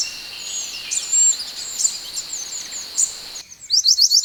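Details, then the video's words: Scarlet minivet recording used as masteran training for other birds: high, thin slurred whistles and a bright sustained note over hiss, then an abrupt switch to a quick series of five crisp rising chirps. "MASTERAN BURUNG MANTENAN ( SEPAH HUTAN ) GACOR 2025"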